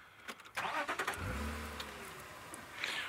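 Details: A vehicle engine cranks and catches, then settles into an idling drone with some knocks and rattles; no animal sounds.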